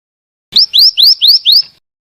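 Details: Five bright, rising whistled notes from a female scarlet minivet, delivered evenly about a quarter second apart in one short phrase.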